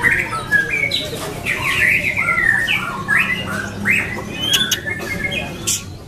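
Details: A white-rumped shama performs in a singing contest in Lampung. Loud, rich whistled phrases slide up and down in quick succession, broken by brief clicks and pauses, over a steady low background rumble.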